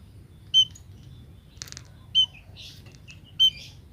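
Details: Female munia call said to draw males straight in: three short, sharp, high whistled notes about one and a half seconds apart, mixed with softer twittering chirps and a brief rustling burst between them.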